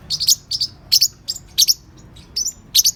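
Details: Lively juvenile parrotlets aged three to four months make quick, bright double and triple chirps. The notes are thin and high and come about every third of a second in an uneven rhythm.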